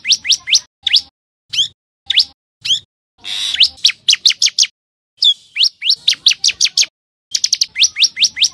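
A common tailorbird gives loud, sharp, high chirps, repeated rapidly in bursts of three to eight notes with short pauses between series.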